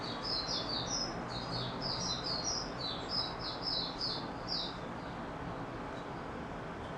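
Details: White-eye (Mata Puteh) singing in stable form, recorded 28 February 2022: fast bursts of high, thin, twittering notes chained together for about five seconds, then the song drops away, leaving steady background hiss.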